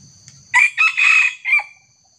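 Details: Red junglefowl crowing during a trapping session in which a small decoy bird is set against a young wild junglefowl: a loud, hoarse, four-part crow of brief clipped notes, with a steady high insect whine behind it.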